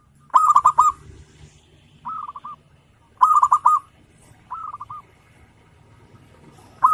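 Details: Local zebra dove in full, loud song meant to stir up rivals. Two phrases about three seconds apart, each a fast stuttering run of low coos followed by a shorter trilled coo, over a faint low hum.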